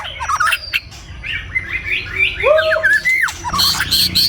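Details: White-rumped shama singing in the morning in Vietnam: a rich, varied run of clear whistles, rising slurs and quick chattery notes, with sharper high squeaks near the end.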